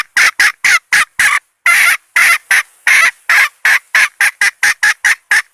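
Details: Red junglefowl hen kept as a decoy to lure males, giving loud, harsh clucks in a rapid series of about twenty short bursts. The bursts quicken and shorten toward the end. The background is quiet.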